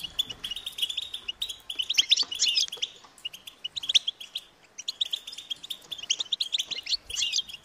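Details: European goldfinch chicks calling parents to be fed: clusters of shrill, rapid chirps, loudest near two seconds, alternating with short quieter pauses through the recording.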